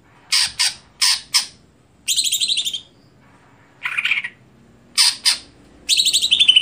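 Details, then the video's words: Greater green leafbird in stelan song style, mixing paired harsh squawks with buzzy, rattling trilled phrases and a lower chattering burst, delivered in short spurts with brief pauses between. "Apakah Stelan Cucak Hijau Bisa Di Patenkan"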